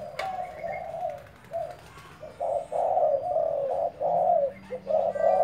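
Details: Decoy spotted dove cooing in short bursts. Two husky notes open the clip, then a pause, then a longer series of rolling low coos that run into one another. A faint low tone lingers underneath.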